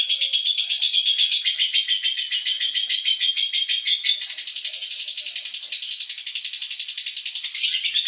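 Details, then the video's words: Lovebird giving its ngekek chatter, a long unbroken rapid rattling stream of harsh high notes, steady and fast throughout, slightly varying in tone toward the end. "love bird ngekek merem melek"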